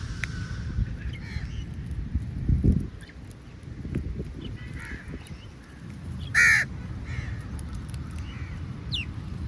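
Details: Crows calling for food: a few harsh, hoarse caws spaced several seconds apart, one louder burst near the end, over a steady low rumble of background noise.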